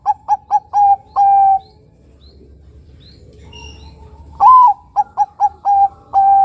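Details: Actively singing Bangkok-type zebra dove, a lure to draw other doves: the end of one phrase with quick clipped coos and a long note, a quiet pause, then a fresh phrase with a swelling coo and rapid short notes.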